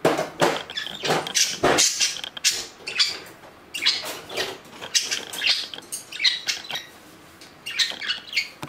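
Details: Household budgerigars, two reaching four years of age on June 10. Continuous busy chatter of scratchy chirps and clicks, tumbling notes packed closely together without a break.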